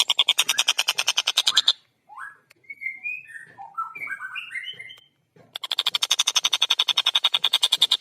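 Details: Tengkek buto, the long-tailed shrike, in clear fast song: harsh rapid chattering, then a varied sequence of short whistled and slurred notes at differing pitches, then renewed rasping chatter.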